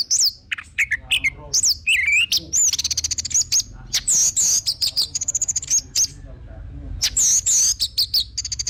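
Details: Energetic orange-headed thrush song used as a lure to get other birds singing: looping slurred whistles, then long fast runs of sharp high chips and rattles with almost no pause.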